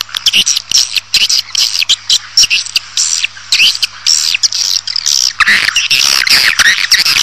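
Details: Swiftlets in a lure recording meant to draw a colony into a building: dense, shrill twittering chatter broken by sharp clicks, continuous for the whole span, with a faint low steady hum beneath.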